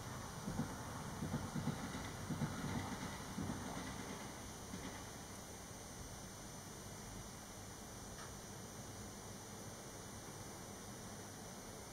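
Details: Low rumbling and wind-like noise with faint muffled knocks early on, and no animal calls.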